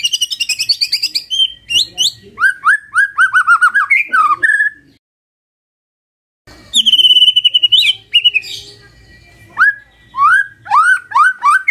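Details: Magpie-robin singing in the morning as a lure for quiet birds: high chattering trills and repeated descending whistles, a pause of nearly two seconds, then a long steady whistle followed by rising and falling slurred notes.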